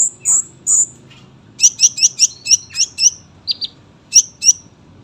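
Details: Sunbird giving a string of sharp, very high chip notes in a clear rhythm, roughly five a second in bursts, after two drawn-out thin whistles, with quiet gaps between groups.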